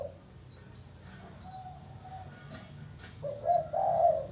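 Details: Spotted dove coo song: a short opening coo and soft mid notes, building to a loud, throaty, two-part coo at the end, with low hum underneath.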